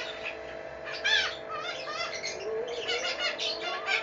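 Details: Red-breasted parakeet recorded on 01/04/2017: scattered bursts of sharp, squeaky chirps and short twittering notes, loudest around the one-second mark and again near the end, over a steady low tonal hum.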